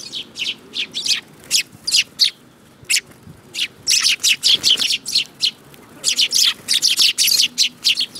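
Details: Many sparrows chirping continuously, overlapping harsh tweets repeated fast throughout, getting denser and louder in the second half.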